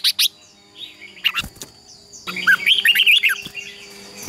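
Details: Red-whiskered bulbul singing a contest song, used as a lure to train birds: scattered sharp chirps, then a quick warbled run of bright, slurred notes near the end, over a faint steady hum.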